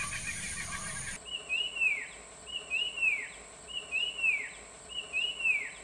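A Puff-throated babbler sings clear whistled notes that swoop up then slide down, repeated steadily.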